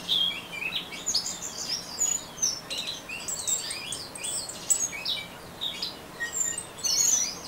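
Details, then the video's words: Rapid ngeriwik song from an Orange-headed thrush: high, scratchy twitters interleaved with clear thin whistles, running without pause and swelling near the close. "Anis Merah Ngeriwik"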